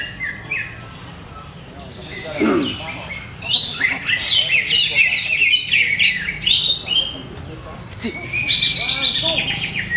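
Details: Caged greater green leafbird whose owner is still testing its setup: a varied burst of chattering and squeaky notes in the second half, over background talk, clicks and rough low noise.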